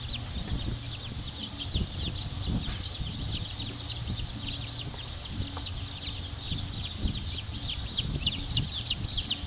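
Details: Black Cochin bantam chicks peeping constantly, numerous thin high downslurred notes overlapping, with low rumbling noise and occasional knocks.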